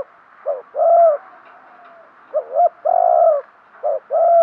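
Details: Spotted dove kept as a decoy, cooing to lure wild birds: short low notes alternating with long, strong, mellow coos, about three phrases in steady succession.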